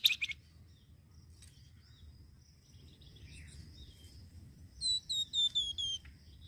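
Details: Flamboyan bird, recorded for luring birds: a sharp chirp at the start, soft distant twitters, then a series of five clear descending whistled notes near the end.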